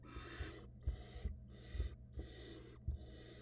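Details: Barn owls at a nest box in 2022 as the male passes prey to the female, who hands it to a nestling that swallows it quickly; harsh, breathy hissing bursts repeat about every half second over a steady low hum.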